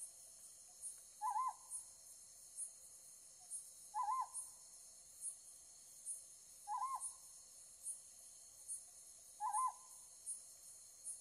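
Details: Night recording of a Ryukyu scops owl that began calling under a light, filmed with a Z9 and 500 mm lens: four short wavering hoots spaced about every 2.7 seconds, with a steady high ticking insect-like sound throughout.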